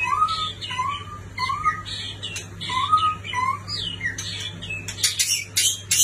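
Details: Rich whistled song of a white-rumped shama from a neighbouring country: arched, slurred phrases repeated roughly every second, alternating low and higher notes, closing with sharp high clicks and chips; steady low hum underneath.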